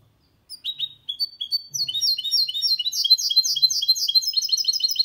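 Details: Hybrid of goldfinch with canary delivering a clean song meant to prompt males to sing and tutor young birds: scattered sharp chirps open, then a fast, continuous stream of high twittering notes.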